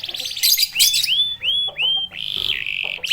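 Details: Canary singing to provoke other canaries: brief rattles, then several rising-then-level whistled notes, a long sustained whistle and a closing rapid trill.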